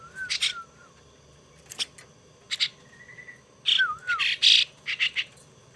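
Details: A young starling raised by hand as a pet calls in rough, buzzy squawks, single or in bunches. Brief thin wavering whistles and a short buzzy trill come between them.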